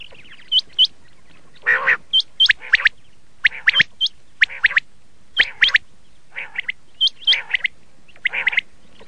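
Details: Red shade common quail, known locally as laal batir, giving short rising whistled notes in pairs between harsh, buzzy bursts, spaced irregularly with quiet gaps.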